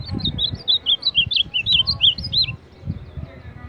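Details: Ultramarine grosbeak (azulão), described as a champion of the baderna song style, singing a quick run of warbled, slurred high notes for about two and a half seconds, then stopping, over low rumbling background noise.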